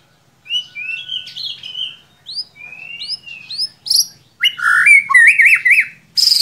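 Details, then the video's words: White-rumped shama song used to trigger a young, reluctant singer: repeated rising whistled notes at a steady pace, building into a loud, rapid, zigzagging warble. "Solusi murai ngiriwik kurang gacor cukup dengarkan suara pancingan ini pasti nyangut"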